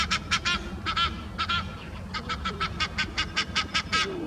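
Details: A pair of Egyptian geese perched on a sculpture arch, shouting defiance at another pair flying overhead: loud nasal honks in quick bursts of two or three, then a steady run of evenly spaced honks, over low background rumble.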